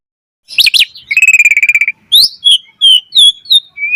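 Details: Asian pied starling in lively full song used as a training track for other starlings: paired high chirps, a fast even rattle of buzzy notes, then a run of clear whistled slurs rising and falling.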